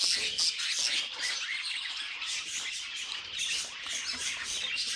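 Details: Several budgerigars singing together: a dense, continuous warbling chatter of squeaky chirps and scratchy notes, high-pitched and unbroken throughout, with sharper squeaks popping out above the mass.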